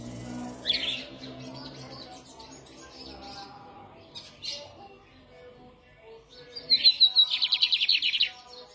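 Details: Lined seedeater (Sporophila lineola), hand-held, recorded on Sunday 13 November: a few high, thin chirps, then a quick burst of rapid, buzzy repeated notes near the end, over a faint background murmur.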